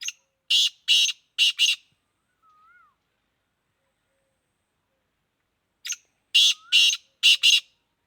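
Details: Black francolin, Sindhi kala teetar offered for sale, producing two bursts of four or five loud, rasping, rhythmic notes about five seconds apart, a soft wavering whistle heard between them.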